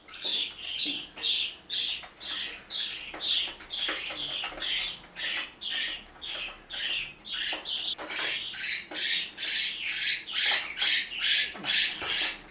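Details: Several parakeets at mealtime in Itaim Paulista, São Paulo, Brazil, give harsh, screechy squawks in quick succession, roughly two per second, the calls overlapping into a continuous noisy chorus.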